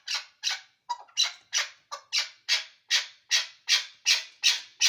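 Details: A chukar partridge from Ishkoshim repeats loud scratchy chuck notes almost three times a second in a fairly steady rhythm, with one weaker stuttered note near the start.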